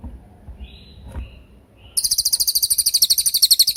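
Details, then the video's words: Training recording of a cililin's tembakan song for murai batu and other songbirds: quiet background with a short thin note, then a loud, high, rapidly stuttering trill running to the end. "MASTERAN TEMBAKAN CILILIN GACOR DOR,SUPER JERNIH & TAJAM"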